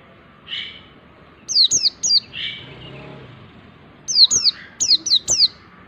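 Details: Song of a mountain white-eye, meant as tutor material for other songbirds: short runs of high, downslurred whistles in quick succession, with a few softer lower chirps between the bursts.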